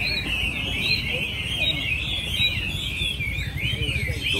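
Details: Chinese hwamei at a Mỹ Đình songbird contest in Vietnam, 19 July 2020, final round among the top ten birds. Many hwameis sing at once in a dense, continuous chorus of warbled, rapidly shifting high notes over a low crowd rumble.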